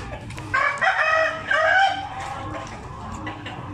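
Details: Gamefowl rooster giving two hoarse, harmonic call bursts of about half a second each, close together, over a constant noisy background hum.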